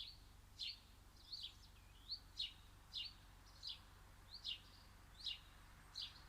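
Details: Garden birds singing: short, bright chirped notes repeated about every three-quarters of a second, each a quick high falling flick, over a quiet steady background hum.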